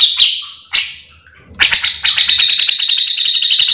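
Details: Grey-cheeked bulbul (cucak jenggot) singing to tutor or lure fellow bulbuls of its kind: two isolated sharp notes, a pause, then a loud, continuous, fast buzzy rattle.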